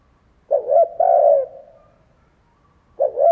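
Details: Spotted dove decoy cooing to lure and provoke wild doves: a low, soft phrase of two quick stuttering notes and then a longer drawn-out coo, given twice with a pause between. Quiet background, no other sounds.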